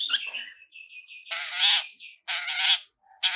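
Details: Long-tailed shrike on a 'toet toet' singing lure: a sharp chip and a thin level whistle, then long, loud, grating squawks lasting about half a second each.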